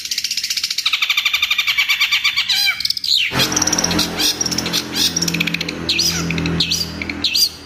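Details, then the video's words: Long-tailed shrike (cendet) in full, rich song with mimicked phrases: a fast, high chattering trill of about six notes a second, then harsh scratchy phrases with sharp whistles over a low background hum. "CENDET GACOR FULL ISIAN TEMBAKAN"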